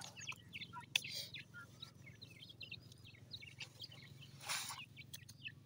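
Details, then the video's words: Grey francolin chicks calling with scattered high, brief chirps and peeps, some in tight clusters, over a low constant hum, interrupted by a few broad rustling noise bursts, including one longer burst near the end. "Teetar kay bacche ki awaz,gray francolin chicks"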